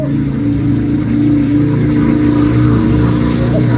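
Low, steady engine drone with a humming vehicle tone throughout and no animal calls.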